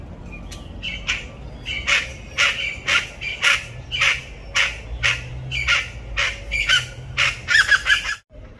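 Chachalacas give loud, harsh, raucous squawks, about two a second, in a scratchy chorus that grows busier toward the end, over a faint low rumble.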